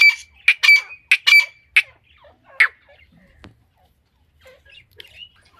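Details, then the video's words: Iranian female grey francolin producing a quick burst of five or six harsh, squeaky notes, then one more after a short gap, followed by near silence with faint background noises. "Irani Madi ke Awaz. ایرانی مادی کی آواز تیتر کی آواز"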